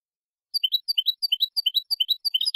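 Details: Malagueño European goldfinch song meant for teaching young goldfinches: paired high chirping notes repeated in short, bouncy groups after a brief silence.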